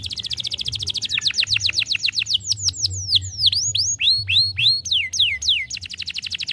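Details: Stimulating song of a young canary: fast rolling trill of descending whistles, then varied V-shaped and rising-falling sweeps, then another rapid trill, over a faint low hum.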